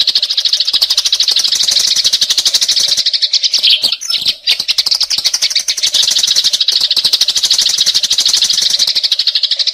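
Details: Sparrows on a lure track chirp nonstop, rapid bright tweets stacked thickly together, with a brief dip in intensity near the middle before the busy chattering resumes.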